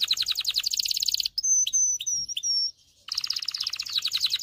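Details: Canary song meant to teach males and ready females for breeding: a rapid bright trill, four sustained clear whistles, a short pause, then another fast rolling trill.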